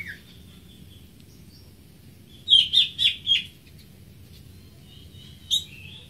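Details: Greater green leafbird giving a faint high whistle, then a quick bright phrase of four buzzy, trilled notes in a row, followed after a pause by one sharp squeaky note.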